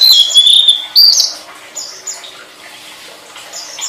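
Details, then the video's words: Flowerpecker song used as a master recording for training songbirds: a loud high, thin trill sliding slightly downward for about a second, then a brief rising note, fading into softer scattered high chirps. "Suara Burung Tledekan"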